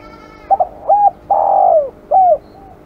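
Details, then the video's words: A spotted dove, described as aggressive, gives a stuttering double coo, an arched note, a long vibrant buzzy coo that falls at the end, and a final downslurred coo. "burung terkukur kg galak"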